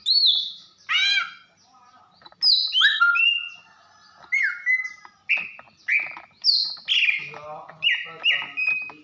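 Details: Calling female greater green leafbird from Banyuwangi, meant to raise a male's breeding drive: bursts of harsh descending chatter, then a sequence of bright whistled notes with sharp clicks, repeated in short phrases.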